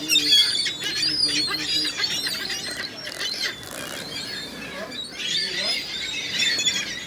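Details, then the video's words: Many gulls calling together, a dense overlapping chorus of high squealing and mewing cries throughout, with a faint low background hum. "Seagulls, Seagulls everywhere!!!"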